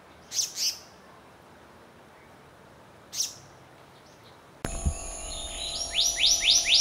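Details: Black-naped monarch: two sharp high chirps, a pause, another chirp, then a quick run of rising whistled notes near the end over a faint steady hum.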